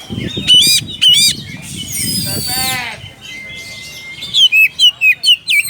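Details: Oriental magpie-robin calling out to a rival, giving loud whistled phrases, a rustling noisy burst, a long steady thin whistle, then a string of about six sharp, evenly spaced, downslurred notes.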